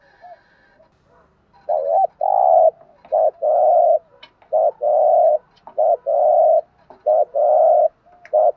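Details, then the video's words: Spotted dove pair, male and female, cooing to excite a trained bird: after a quiet start, a steady run of about seven short-long coo phrases, low and mellow, with faint background hum. "tiếng chim cu gáy kích bổi mới rất hiệu quả"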